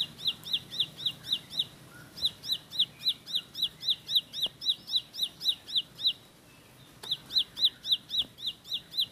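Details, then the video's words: Rapid 'tembakan roll' of a Bar-winged prinia: long trains of bright, high, hooked notes about four per second, with two short pauses between bursts and light background clicks. "Tembakan Roll Spead Ciblek Lagu Full Kolibri // Ciblek Sawah/Ciblek Pari"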